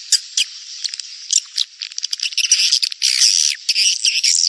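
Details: Edible-nest swiftlets in a breeding-season lure recording for the rainy period: scattered high chirps building into a thick, rattling twitter of many birds toward the end.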